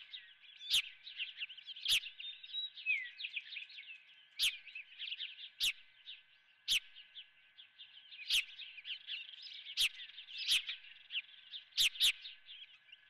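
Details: Osprey at the nest with a live golden fish for breakfast: steady stream of high chirps over about thirteen seconds, broken by a dozen crisp click-like taps at irregular intervals.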